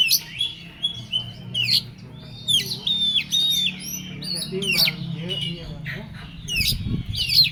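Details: Oriental magpie-robin in an agitated, excited state: sharp whistled notes and short chirps repeated in quick succession, with a low background hum and faint voices in the background.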